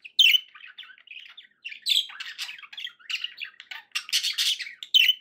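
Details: Happy pet budgies warbling and squawking, a rapid mix of high chirps and scratchy notes in short bursts, loud squawks at the start and end.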